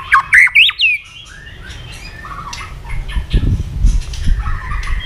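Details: A White-rumped shama, repeatedly flicking its tail and singing combatively, gives a loud burst of sharp, rising whistles and harsh squawky notes within a second, then fainter whistles over low rumbling noise.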